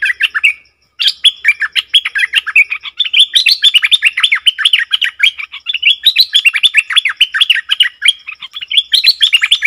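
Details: Bulbul recorded on 20 March 2022, set to sing against a wild bird; a dense, unbroken stream of quick chirped and warbled notes rising and falling around a steady middle pitch, with one short pause near the start.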